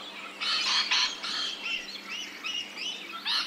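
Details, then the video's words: Rainbow lorikeet in Australia, ambisonic surround recording: a burst of loud rasping screeches, then a quicker series of short arched chirps, ending with another harsh squawk. "Rainbow Lorikeet | Australian birds | Ambisonic surround sound"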